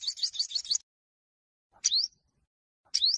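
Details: Fighting song of an olive-backed sunbird from Huế, meant to goad other birds to sing: a quick high trill of about five notes, then two thin upward-sweeping chirps, against a clean, silent background.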